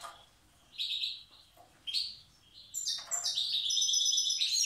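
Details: Wild European goldfinch from Tiaret singing in the old song style: short bursts of bright, tinkling twitters separated by brief pauses, ending in a longer run of high, ringing trills.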